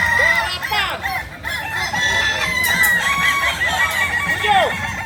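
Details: Kukuak Balenggek cock from Solok, West Sumatra, crowing in a long chain of arched, swooping syllables, some rising then falling steeply, with a faint murmur of voices behind.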